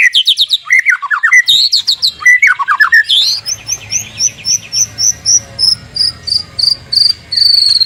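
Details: White-rumped shama in a lively morning lure song meant to prompt other shamas to answer: rich descending whistled phrases and rapid chattering notes, then a long series of sharp, high, evenly spaced whistled notes repeated about twice a second.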